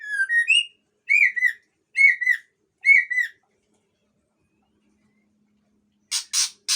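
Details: Agitated long-tailed male white-rumped shama of the Aceh type in full song: four loud, rich whistled phrases, each a short downward-curving warble, repeated roughly once a second. A pause follows, then three harsh, noisy bursts.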